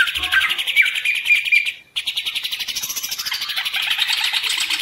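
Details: Green leafbird kept in a cage as a hobby bird, giving a dense, buzzy, rapid warble. A brief silence breaks the stream before fast chattering trills resume.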